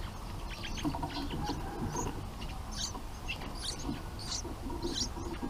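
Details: Bulbul nestlings in the nest, fed by their parents bringing food, give brief thin high squeaks in scattered bursts, roughly one every half second, over a steady low rumble of background noise.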